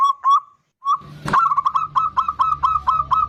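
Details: Zebra dove (perkutut) of the bodronoyo type, singing energetically as a lure to get other birds singing: soft cooing notes, a short pause and a sharp click, then a fast even run of about ten bubbling coos.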